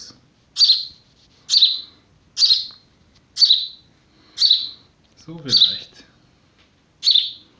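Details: A found young house sparrow, a hungry nestling being hand-raised, gives loud, sharp chirps about one each second, with a man's voice briefly heard in the background.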